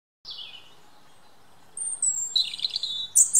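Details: European robin singing in woodland: a short descending warbled phrase, then a pause before a thin high sustained whistle and a burst of rapid tinkling notes.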